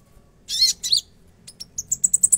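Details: Konin singing energetically in a full-fill style; two harsh, high buzzy bursts followed by a quickening run of short, sharp, very high chips.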